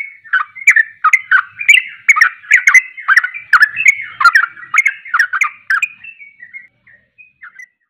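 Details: Sooty-headed bulbul in emotional ropelan style, sung to provoke other bulbuls: fast repeated slurred whistles for about six seconds, then a few softer, thinner notes as the phrase fades out.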